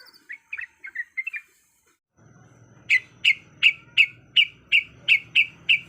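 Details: Female Yellow-vented Bulbul in breeding condition calling males: a short run of soft chirps, a pause, then a steady series of sharp, bright chip notes repeated roughly three times per second over a low background hum.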